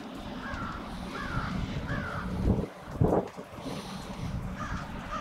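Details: Crows staging on Washington St in Brattleboro, Vermont, on 16 February 2021, a winter gathering; a run of repeated harsh caws, then more later, with two loud low thumps and constant traffic rumble.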